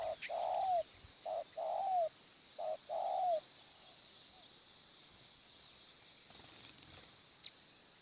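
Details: Spotted dove at a morning decoy trapping spot: three short-then-long coo phrases, each ending in a falling slur, open the recording, then fade to a quiet background of high insect hiss and faint chirps.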